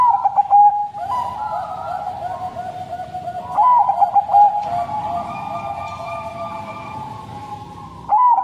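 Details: Zebra dove of the Bangkok crossing type, used as a lure bird, delivering its long, sad-toned song. Rolling trilled coos open and close the stretch, with another in the middle, all over a steady droning hum.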